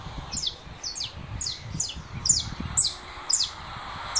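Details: Saffron finch in the 'russo' style, emerging from molt and dueling with a phone playback of another bird; evenly spaced high, thin downslurred whistles about every half second over soft low rumble.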